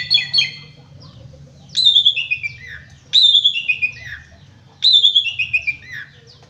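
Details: Asian pied starling (jalak suren) repeating a harsh descending chattering phrase three times, each burst sliding downward from high to lower notes, with short pauses between.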